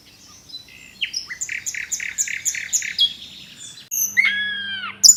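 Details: Tledekan gunung, or Sunda robin, in a tutoring recording. It gives a varied high song: a run of quick, evenly repeated chirps, then drawn-out falling whistled notes near the end, with a faint low hum underneath.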